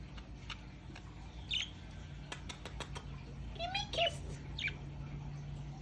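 A female budgerigar practices her sounds with a few short squeaky chirps and a brief warbled note.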